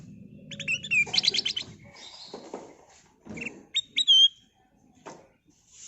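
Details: Black-capped bulbul lure song used to attract birds: bright clipped chirps and ringing whistled notes in short bursts, with a quick rising-falling whistle near the end, over a soft low rumble and quiet gaps.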